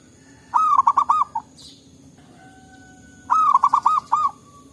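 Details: Local zebra doves in forest calling back and forth: two bursts of mellow, low-pitched cooing, each a rapid run of five or six staccato rolling notes lasting about a second, separated by a quiet pause with a faint steady tone.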